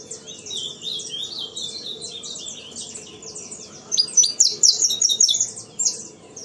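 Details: Soft background twitter of many birds gives way to a loud, rapid phrase of sharp, high chirps from a saffron finch singing the CT sistemático style in a breeding aviary.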